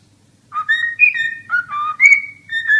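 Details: Cockatiel giving a brief whistled phrase: smooth notes that jump between higher and lower pitches, some held, others dropping, over about two seconds.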